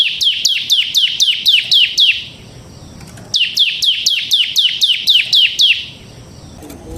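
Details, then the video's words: Bar-winged prinia of the 'semi' type, singing in the continuous 'ngebren' style used as a lure and tutor for training birds: two bursts of quick, sharp downslurred chirps, about four per second, separated by a short pause. "suara burung CIBLEK SEMI GACOR Ngebren"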